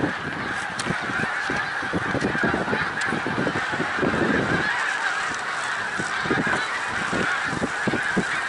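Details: Snow geese by the thousands at Middle Creek Wildlife Refuge, Pennsylvania, 1 March 2021, honking in a dense, yelping chorus, with louder nearby calls and a low rumble mid-way.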